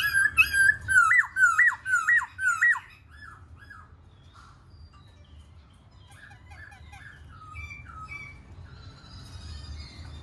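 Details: Black-throated laughingthrush singing while dancing: a loud burst of repeated rich whistles, each sliding up then dropping, roughly twice a second for three seconds, followed by quieter scattered chirps and short notes.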